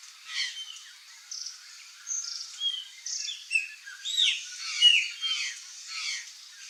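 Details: A flock of wild curl-crested jays (Cyanocorax cristatellus) in Brazil's open Cerrado/Caatinga habitat calls together, a jumble of short high chirps, squawks and whistled notes overlapping irregularly, with faint background hiss.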